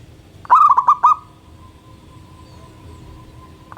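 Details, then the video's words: Local zebra dove singing vigorously in the morning: one clear phrase of four quick cooing notes near one pitch with a sustained trailing tone, then the start of another phrase at the end, over low background hum. "Perkutut Lokal Gacor Manggung dipagi Hari bikin yang lain ikutan BUNYI."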